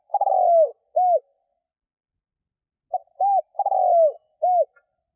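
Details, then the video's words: Spotted dove kept as a lure, cooing to entice wild doves. A long, buzzy, downward-sliding coo is followed by a short arched note. The full four-note phrase returns after a pause of about two seconds. "Tiếng cu mồi thúc gù gáy kích bổi cực nhạy"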